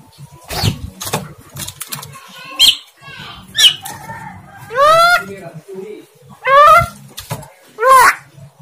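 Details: Javan myna talking in speech-like phrases that are not clearly understandable. Several loud, hoarse, downward-arching syllables come at irregular intervals, about every one to two seconds, among softer clicks and background murmur.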